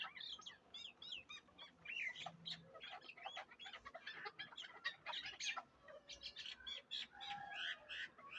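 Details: Chukar partridge from Darvoz, tethered by the leg and used for hunting, in Tojikobod district, Tajikistan; long run of rapid rasping chuck notes and squeaky upslurred calls, with a brief lower note near the end.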